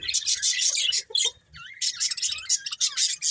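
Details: Several happy pet budgies chatter in quick, high, scratchy chirps, including a wavering whistled phrase near the middle, with soft low clicks beneath.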